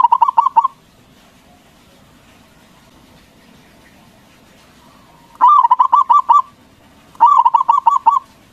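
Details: Zebra dove of local stock used to provoke other doves into calling: three bursts of fast, bubbling pulsed coos, the first short, the next two about a second long, separated by quiet stretches.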